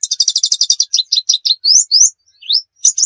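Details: White-eye 'nembak' master song for luring birds: a quick burst of dense high chirps, then slower rising whistled slurs with short pauses, no other sounds.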